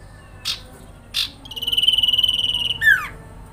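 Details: Sirpu, or sooty-headed bulbul, grincingan trill aimed at eliciting replies from other birds: two short buzzy notes, then a long steady rapid trill closing with a sharp downward slur.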